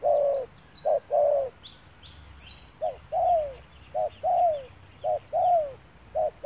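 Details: Low, soft coos of a spotted dove during sunny-day trapping with a lure bird, short clipped notes paired with longer falling ones in a loose repeating rhythm, small birds twittering faintly overhead.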